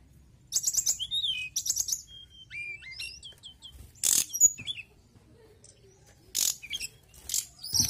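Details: Mountain tailorbird singing actively: thin high whistled notes, a short run of quick repeated notes, and sharp broadband clicks and rustles between phrases.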